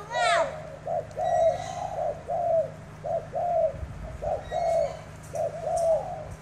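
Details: Spotted dove in a cooing contest in Tra Vinh, Vietnam, a tame bird matched against a wild-caught bird with a rolling voice; deep, hoarse coos in repeated two- and three-note phrases about once a second, opening with a brief sweeping whistle.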